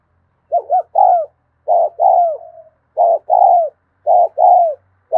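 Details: Spotted dove in 'thúc gù' cooing style, recorded in the afternoon: four paired low coos spaced about a second apart, each pair ending in a drawn-out falling note, one trailing off in a faint tail.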